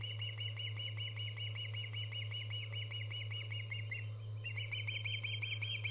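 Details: Repeated shrill whistled chirps from an Osprey filmed by a live nest cam on 24 August 2014; the series pauses briefly near the end, then resumes louder, over a steady low hum.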